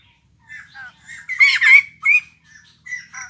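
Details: Wild-caught white-crested laughingthrush newly kept in a cage, giving a few brief harsh squawks and short buzzy notes in a quiet setting.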